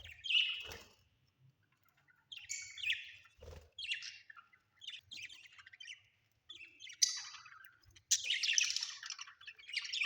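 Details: Budgies in a home give sharp squawks and chirped chatter in uneven bursts separated by brief silences, ending in a dense, loud stretch of scratchy warbling.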